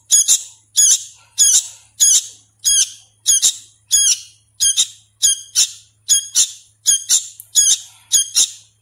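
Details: Young sooty-headed bulbul being hand-fed, not yet singing fully, repeats harsh ringing squawks in steady pairs about twice a second throughout, with a faint low hum beneath.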